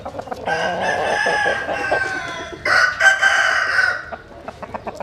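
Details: Rooster crowing at dawn while chickens sun themselves; two long, strained crows follow each other, with clucking around them.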